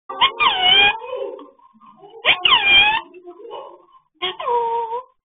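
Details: Talking parrot speaking three short phrases in a clear, harmonic, voice-like tone, each about a second long and separated by pauses, in a quiet room.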